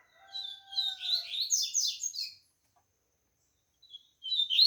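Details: Caged Double-collared Seedeater, one of a pair just finishing molt: a steady whistled tone opens, then a rapid string of high scratchy chirps and trills, a pause, and a fresh burst of sharp chirps.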